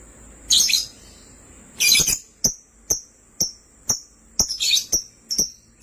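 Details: Pet lovebirds of sky blue opaline and green opaline colouring: two scratchy chatter bursts, then a string of short piercing chirps spaced about half a second apart.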